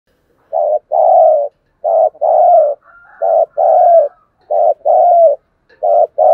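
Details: Spotted dove giving a rustic-voiced, urging coo: soft paired hoots, a short note followed by a longer mellow one, repeated four times with brief silent gaps.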